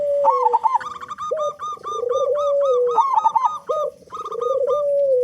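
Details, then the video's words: Lure song of a loud local zebra dove, meant to make other doves start singing. Rapid, stuttered cooing phrases overlap with long, low, mellow coos that rise and then fall, all repeated steadily indoors. "Perkutut Lokal Gacor Suara Besar Pancingan Burung Perkutut Agar Cepat Bunyi"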